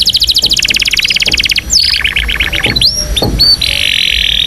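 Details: Indonesian canary in full, powerful song: a fast metallic trill of evenly spaced notes, then a slower series of rising chips and a sustained buzzing roll; loud and close.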